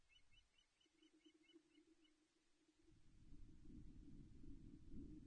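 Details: Osprey pair at the Loch Arkaig nest on 17 May 2021, filmed by a nest camera during a mating visit: a faint run of short, high, chevron-shaped chirps repeated quickly for about two seconds over heavy low rumbling wind noise.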